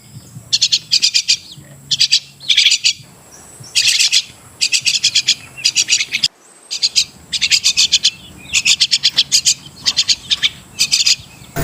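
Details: Crested myna, or Martinez bird, making repeated groups of fast, scratchy, rasping pulses. Each group lasts under a second and comes at fairly steady intervals. A faint low hum sits underneath.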